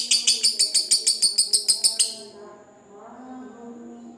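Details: Ngekek trill of a lovebird, used to rouse rival birds: about two seconds of strong, evenly spaced harsh high pulses, then the trill stops and only a quiet low hum remains.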